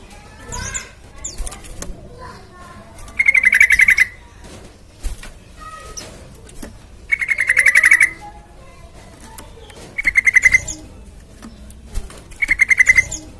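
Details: Lively sooty-headed bulbul on a lure track for prompting other birds to sing: four loud stuttering trills of fast repeated notes spread over about thirteen seconds, separated by softer chirps and quiet.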